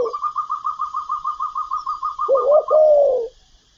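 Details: Spotted dove calling, part of a full set of calling, urging and cooing phrases: a rapid run of short, even pulses repeated about five times a second, then a lower, drawn-out rolling coo to finish.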